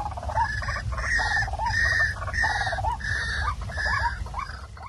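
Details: Waterhen call played back at night to lure birds for catching: a series of harsh, nasal, harmonic notes repeated roughly every second in a steady rhythm, over a constant low rumbling background noise.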